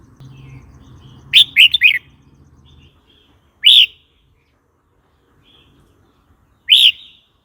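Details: Red-whiskered bulbul song meant to provoke other birds and teach young birds: a rapid three-note whistled phrase, then single loud, clear, arched notes spaced about two to three seconds apart, with low hum early on.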